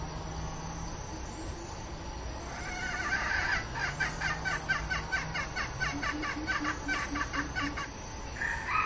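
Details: Red junglefowl (Gallus gallus) decoy hen calling to draw in wild birds, giving a fast run of clucking notes, several per second, over a steady low hum.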